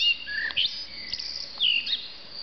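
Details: A common blackbird singing on a roof in Argeș, Romania, in June 2013: a few short, clear whistled notes, some sliding down, with thin high twittering between them over quiet background.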